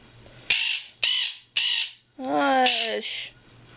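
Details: Quaker parrot kept as a pet, calling to wake its owner in the morning: three rough raspy squawks about half a second apart, then a longer strained, layered nasal call sliding downward, ending in a final harsh note.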